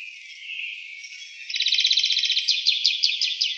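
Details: European greenfinch singing in Wittlich in 2018; a quiet start gives way to a quick rattling trill that breaks into repeated looping twitters, roughly three per second.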